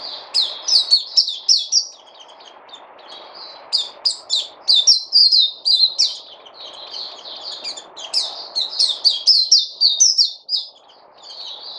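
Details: Songbird in captivity pours out long, dense strings of high, rapid chirps and trills, briefly pausing near two seconds, with a faint low hum beneath.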